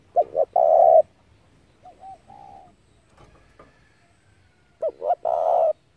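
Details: Spotted dove used as a lure bird for trapping; two short hooked coos followed by a long buzzy coo, repeated once after a pause, with a fainter, softer coo in between.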